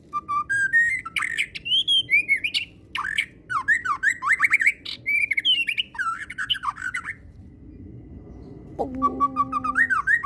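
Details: Caged white-rumped shama, kept as a fighter songbird, pouring out a long varied song of whistles, slurred sweeps and rapid chattering bursts, with a brief pause before a steady low tone and renewed phrases.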